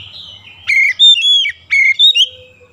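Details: Two short whistled phrases from an oriental magpie-robin (kacer) in a daily rolling-song training routine, each a sharp upward flick followed by clear level whistles, with a faint hum underneath.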